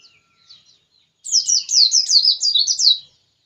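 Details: Persistent white-eye song: a few soft high notes, then a loud rapid string of about eight sharp, sweet, downslurred chirps, delivered at a steady quick pace.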